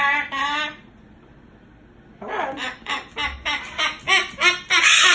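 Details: Moluccan cockatoo kept as a pet, protesting at night about being put to bed in its cage: a short talking phrase, a pause, then a run of about eight quick, bright, rasping calls that grow louder.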